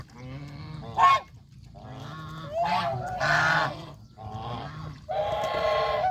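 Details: Farm geese eating fresh grass near the pond, adults and goslings together; separate loud honks of about a second each, harsh and nasal, with short gaps and some overlapping voices.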